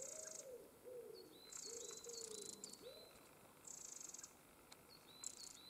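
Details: Eurasian wren family, apparently young birds only recently out of the nest, give high, hissy bursts of sound and thin short notes, while a dove coos low and soft beneath them.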